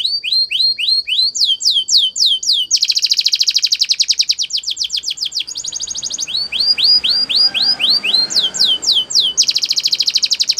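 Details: Spanish Timbrado canary singing a training song in changing phrases. Slow, swooping whistled notes give way to dense, rapid rolls, then more slurred sweeps and another fast roll. Clear and loud, with no background.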